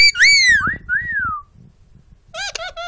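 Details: Captive talking bird giving bright arched whistles that slide down, then silence and a burst of nasal, raspy speech-like syllables; a person says "good boy" nearby in a small room.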